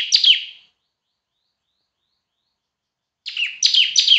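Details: A bar-winged prinia, singing loudly and semi-actively for use as a training recording, gives one bright chirping phrase, falls silent, then starts a fast string of high, downward-sweeping notes.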